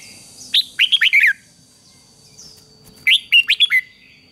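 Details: Red-whiskered bulbul fighting song for training a wild-caught bird: a pair of quick phrases, each around five bright whistled notes bending down in pitch, with a clear gap in between.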